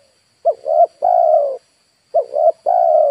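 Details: Two phrases from a decoy spotted dove kept to attract wild birds: short double coo, then a sustained mellow note, with a steady faint high tone throughout.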